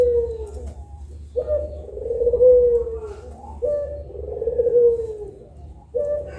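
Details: Two puter pelung collared doves at midday. Repeated long mellow coos, each starting with a sharp lift, swelling, then sagging gently at the end. A new phrase comes roughly every two seconds, with short quiet gaps between.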